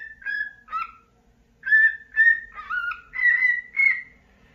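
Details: Happy pet cockatiel singing after waking in the morning, whistled phrases of level and falling notes, a pause, then a louder sequence of bright sustained whistles with two-toned warbles.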